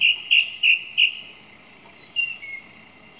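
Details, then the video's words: Four loud, identical whistled notes from a song thrush come in quick succession, followed by softer, varied high twittering phrases. "Song Thrush 2"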